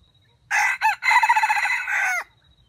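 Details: A red junglefowl used as a crowing decoy in a trap for wild chickens gives one loud, hoarse crow of about two seconds: a clipped opening note, a brief gap, then a pulsing middle and a long held note that drops away.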